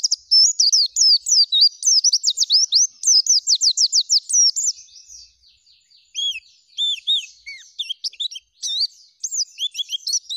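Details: Oriental white-eye in lively full-filled song with shooting and rolling phrases: rapid high twittering with looping whistled notes, fast bursts for four seconds, then after a pause spaced downslurred whistles and chirps; no other sounds.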